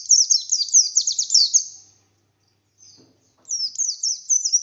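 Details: Buxtoni oriental white-eye in full 'nembak' song, kept bird: a fast string of shrill down-slurred whistles for two seconds, then a pause with a faint soft knock, then more high sliding notes.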